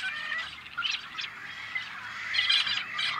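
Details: A dense chorus of Tricolored blackbirds at an on-farm nesting colony in California's Central Valley: many harsh, nasal, buzzy calls overlap in constant high chatter, with louder bursts rising and falling.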